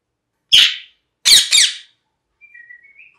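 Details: Parrot calling indoors with three loud harsh screeches in quick succession, followed by a faint soft warbling whistle.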